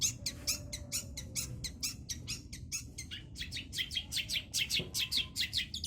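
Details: Young long-tailed shrike learning the Kunti song: a steady run of sharp, high, ticking notes repeated about twice a second, over a low background hum.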